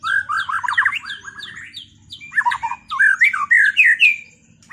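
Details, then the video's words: White-rumped shama past its moult, in a duel meant to bring back its singing performance: loud rapid bursts of rattling, chattering notes and sweeping whistles, separated by short pauses. "Duel murai batu lepas mabung buat mengembalikan performa burung"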